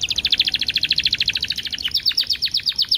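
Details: Canary song used as a training lure with ten-second pauses: a fast, even rattle of high notes, nearly three per second at first, then shifting to wider downward-sweeping notes in a slightly slower series.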